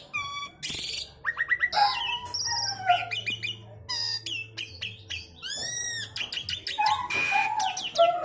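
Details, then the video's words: Jalak suren jawa, the Javan pied starling, giving a packed isian song of clear pure whistles, quick stuttering chips, sweeping arched notes and a few sharp squawky phrases, loud and almost continuous. "jalak suren jawa / javan pied starling isian sekebon kacang"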